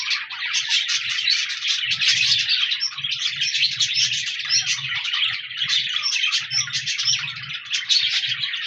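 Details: Budgerigars, colourful pet parakeets, recorded 14 January 2024, produce busy warbling chirps and squeaks throughout, over a recurring low hum that comes and goes in bursts.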